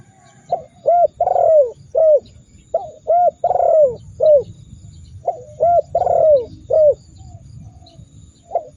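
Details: Spotted dove used as masteran to provoke rivals into calling, giving three similar phrases of deep, hollow coos: two brief notes, one extended descending coo, then a closing short note, with gentle low-pitched background noise throughout.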